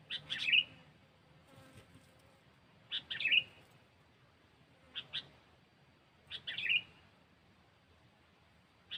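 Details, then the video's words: Sooty-headed bulbul song for trapping, quieter and more distant: three short bubbling phrases roughly every three seconds, each starting with sharp clicks, against a hissy background. "Suara Burung Kutilang"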